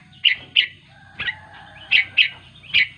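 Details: Sooty-headed bulbul calling to its companions, giving short sharp chirps in quick pairs and singles, about six notes in three seconds, over a steady low murmur and a faint thin tone.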